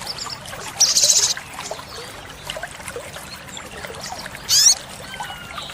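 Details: Olive-backed sunbird song played as a master recording for training caged birds: two brief, dense high buzzy bursts about four seconds apart, the second with a rising twist, over a faint hissing background.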